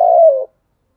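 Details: Single low mellow coo from a spotted dove in the thúc gù call style, steady then drooping slightly as it fades, followed by silence.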